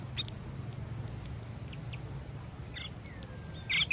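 Sparrows give a few short, high chirps, scattered and then a louder burst at the end, over a steady low rumble of background noise.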